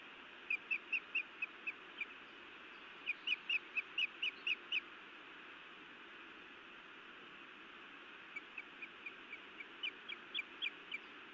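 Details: Feisty female osprey at her Montana nest scolding the male, evening of 31 May 2017: repeated bright, high, clipped chirps in three rapid strings, the middle one loudest, over low steady noise.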